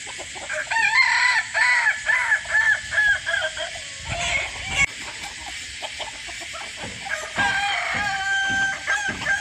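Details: Crowing from a hobby-reared Kukuak Balenggek chicken: a series of bright, ringing notes breaking into short stepped segments, loud at first, then lower and broken, with a final burst of high notes.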